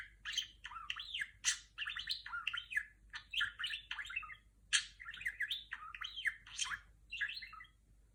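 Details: Female pet budgerigar chattering in imitation of R2-D2 from Star Wars, rapid bursts of warbled, swooping whistles and sharp chirps in quick phrases with short pauses, quiet background.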